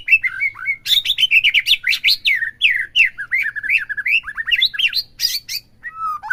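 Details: Caged white-rumped shama pouring out a varied, fluid song, played to push other shamas into full bongkar: rich, looping whistled phrases that rise and fall quickly, mixed with sharp clicks, then a closing low slurred note.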